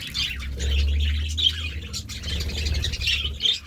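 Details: Budgerigars eating seeds and vegetables: busy, scratchy warbling chatter with short squawks, set over a steady low hum throughout.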